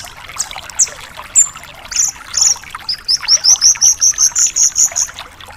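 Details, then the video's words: Javan bush lark song: scattered high chirps and a whistled note, then a fast run of about a dozen sharp high notes repeated evenly, several per second. "Masteran Suara Burung BRANJANGAN GACOR DOR"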